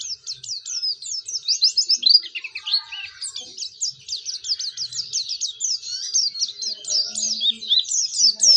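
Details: Oriental white-eye, a vigorous singer learning to open its beak, sings as a lure for other white-eyes: fast high twittering and scratchy chirps, about three notes a second in loose bursts, with faint low background noises.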